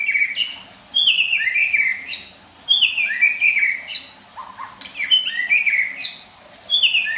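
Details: Murai batu, the white-rumped shama, in full song: bright whistled notes stepping down then leaping upward, with crisp high flourishes and short gaps between phrases, repeated over and over.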